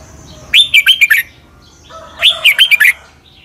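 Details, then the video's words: Doubled-style southern master song of a Red-whiskered bulbul, played so young birds can copy it: two quick, clear phrases of bouncing whistled notes about two seconds apart. "เสียงนกกรงหัวจุก เบิ้ล แม่บทใต้ เพลง พยางค์ เสียงชัด ก๊อปติดง่าย"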